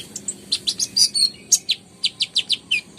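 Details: Ruby-cheeked sunbird, called konin or kolibri ninja, singing busily. A rapid run of high, sharp chirps and short slurred notes, about six per second, with a few brief pauses between bursts.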